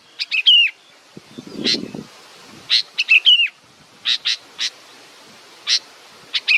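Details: Young bird waiting for its mother, giving clusters of short sharp chirps and downward-sliding whistled notes, repeated irregularly over several seconds, with a brief burst of rustling early on.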